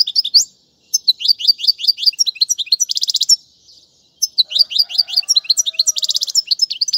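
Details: European goldfinch, a royal goldfinch for teaching young birds, singing fast runs of bright twittering notes high in pitch, with a dense rattling trill near three seconds, a short pause, then the twittering sequence resumes with another buzzy trill.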